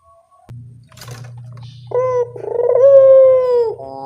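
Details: Spotted dove coo used to lure birds, preceded by a low steady hum and a burst of rustling; the call is a short note followed by one long, pulsing, slightly rising then falling coo.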